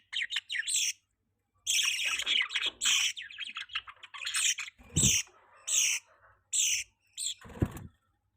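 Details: Budgie chattering almost without pause in high, buzzy chirps and twitters, with two low thumps partway through.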